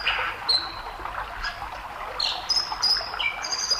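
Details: White-throated dipper (Cinclus cinclus) song on a stream: high, thin whistles and scratchy, buzzy phrases, several every second, almost drowned by the steady roar of rushing water.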